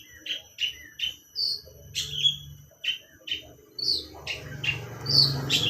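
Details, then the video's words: Lovebird-style song from a long-tailed shrike: spaced, clear chirps and short whistles, one every half second or so, then a rougher, noisier stretch near the end over low rumbling. "Burung pentet isian burung love bird"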